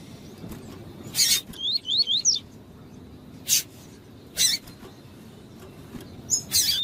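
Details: Double-collared seedeater, tui-tui type, with a female call used to stimulate the male. A run of four quick zigzag high notes follows a loud click, then scattered sharp clicks over a low hiss.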